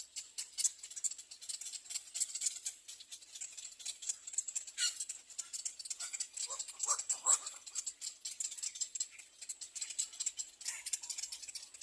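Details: Begging little egret nestlings calling for food at the third nest, giving a steady, scratchy, rattling chatter of fast high clicks with a few rougher, lower squawks in the middle.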